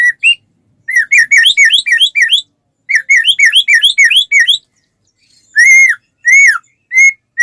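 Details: White-rumped shama in full, steady song, used as a lure to get other shamas singing: bursts of quick rising and falling whistled notes in two rapid runs, then a few louder, slower arched whistles.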